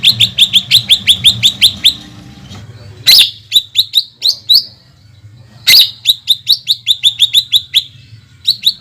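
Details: Long 'shooting' phrase of a greater green leafbird, sung to provoke rival leafbirds: quick bursts of high chattering chips broken by short gaps and two loud snapping notes.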